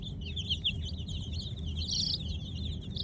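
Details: Kolor baby chicks at night giving high, slightly downslurred peeps in a quick overlapping chatter, with one louder squeaky peep about two seconds in and a low steady hum behind.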